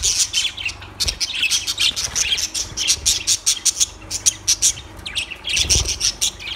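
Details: Shrill, rapid lovebird chirps, sharp high squeaks repeated in quick runs, several birds calling together, with a couple of soft low thumps.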